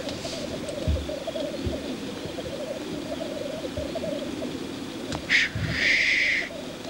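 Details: Black grouse lek display, a low continuous bubbling chorus underneath, then near the end a loud explosive hissing sneeze followed by a drawn-out rasping hiss.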